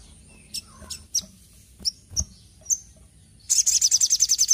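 A spiderhunter gives high, thin chirps spaced about half a second apart, then breaks into a fast, sharp, repeated trill.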